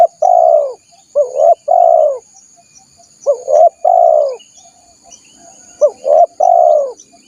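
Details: Spotted dove coos used to lure wild doves: three repeated phrases, each with quick upward notes running into a long, mellow, slightly falling coo, about every two seconds, with a thin high tone steady behind.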